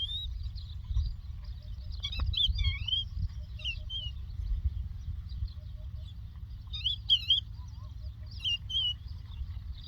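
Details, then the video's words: Lark in Doukkala giving scattered bursts of twisting, warbled whistles separated by quieter gaps, with steady low-pitched background noise. "The Lark Tweets صوت الطبيعة: تغريد القبرة"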